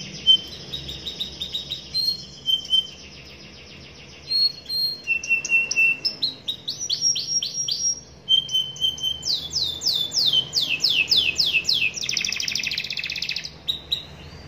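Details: Young canary in full rolling song: long high trills and buzzy rolls alternating with short whistled notes, then rapid series of sweeping notes and a dense chattering burst near the end.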